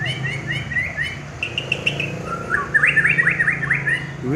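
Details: Prize-winning caged white-rumped shama singing: bursts of clear whistled notes and rising slurred phrases around the upper-middle range, with a steady low hum throughout.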